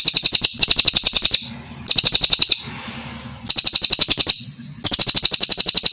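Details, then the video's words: Brown cililin native to Kalimantan singing a clean master song: quick, evenly spaced high chips in bursts of about a second, interrupted by hissy quiet gaps. "Masteran cililin gacor panjang dan bersih,Suara cililin asli kalimantan (cililin coklat)"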